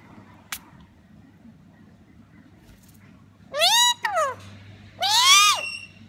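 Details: Female black-capped lorikeet imitating a cat: after a brief click, two drawn-out, nasal, meow-like wails, each rising then falling, the second longer and louder, over a faint steady background hum.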